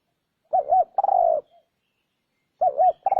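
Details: Spotted dove coos used to lure wild doves: one full phrase of two rounded rolling notes and an extended sliding coo, then a second phrase beginning after a short silence.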